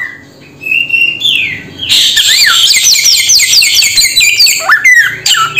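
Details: Samyong bird starting with a few soft, thin whistled notes, then breaking into dense, fast chattering of bright, bending squawks that run almost continuously.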